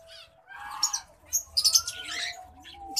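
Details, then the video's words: White-headed munia singing during courtship: scattered soft, high chirps and buzzy bursts, with one thin whistled note gliding slightly upward mid-clip over a steady low hum. "white headed munia courtship and song"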